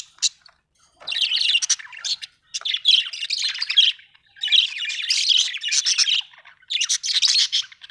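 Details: Budgerigar, described as happy, chattering continuously in long scratchy, squeaky warbling phrases separated by brief pauses, with a clean quiet background.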